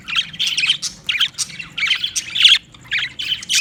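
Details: Budgerigar chattering in a series of short, harsh squawks and chirps, grouped into choppy bursts separated by short gaps.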